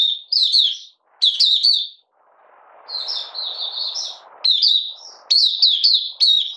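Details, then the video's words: Oriental white-eye from Malaysia, kept as a hobby songbird and in minor moult, opening its song on 31 July 2023. Clipped high chirp bursts, then a softer twittering run over a low hiss, then loud rapid warbles. "Malaysian Mata Puteh Buka Sing"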